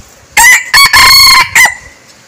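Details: Red junglefowl used as a decoy crows once, loudly and close: a rough opening note, a short hiccup, a long strained middle and a final clipped syllable, with little else heard.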